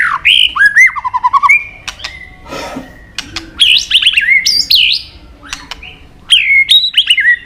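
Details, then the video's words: White-rumped shama in energetic full song rich in mimicked fill-in phrases: rapid varied whistled notes, downslurred chirps, quick trills and sharp clicks, loud bursts separated by short pauses. "Murai batu gacor isian super lengkap"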